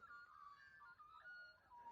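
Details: A family of Australian magpies about 100–200 m away on a farm near Bendigo on Boxing Day, calling and responding in fluty, warbling whistles that slide up and down without a break, with faint outdoor ambience.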